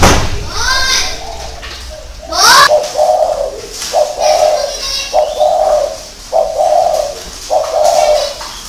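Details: Spotted dove cooing: a run of low, hollow coo phrases repeated roughly every second, each a steady mellow hum, after a brief human voice and a thud at the start.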